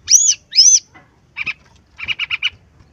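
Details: Lively song of a brown-chested jungle flycatcher, used to get other birds singing. Two loud arching high notes, then short bursts of quick low chips, the last a run of five.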